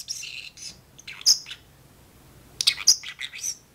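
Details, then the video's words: Pet parrotlet in its cage, talking with its owner while dishes are washed: bursts of shrill chirps and squeaky speech-like syllables, a silent gap, then another cluster of sharp high notes. "talking parrotlet"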